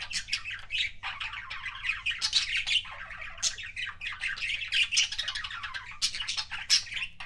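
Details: Pet budgerigar making kissing sounds: a dense, continuous chatter of clicks, smacking notes and squeaky chirps with a few sharper squeals, over a steady low hum.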